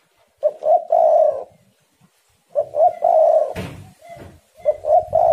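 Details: Tekukur, the spotted dove, singing repeated deep coo phrases of short hoots and a long rolled note, with a sharp knock or clatter partway through.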